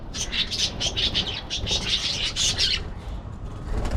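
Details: Budgerigar chattering: a dense run of quick, scratchy high chirps and warbles for about three seconds, then falling quiet, with a low background rumble throughout.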